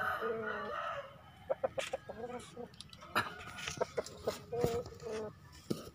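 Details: A one-year-old Bangkok rooster in a village ends a hoarse, drawn-out crow, then gives short clucks and sharp clicking sounds.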